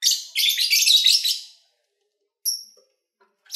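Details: Several pet lovebirds, recorded in February while eating and playing, let out a second and a half of loud, gritty chatter, then fall quiet apart from one short, thin whistled note.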